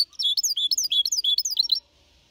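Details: Malaga-copy song from a 4.5-month-old goldfinch hybrid kept to motivate other birds: a quick phrase of looping, swooping high whistles, about a second and a half long, then quiet.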